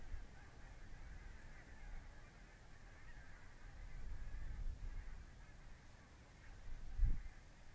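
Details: Large wintering flock of barnacle geese, Svalbard population, on the Mersehead RSPB Reserve in Dumfries and Galloway, November 2011, gives a constant babble of short barking calls, swelling and fading, with wind rumble and a thump near the end.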